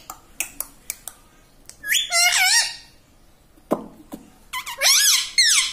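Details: Talking pet parrot kept indoors, known for saying "mummy" and "radhe radhe": faint clicks and taps at first, then two bursts of bright, wavy, voice-like warbling.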